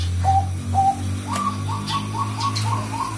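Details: Bangkok-type zebra dove lure song: short tonal coo notes, two separate ones and then a quicker stuttering run of similar notes, over a low steady hum.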